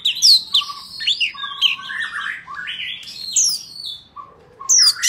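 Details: White-rumped shama singing in forest style, a recording used to train young birds: rich varied phrases of high whistles, sweeping slurred notes and chattery trills, with a lower steady whistled tone threading between phrases.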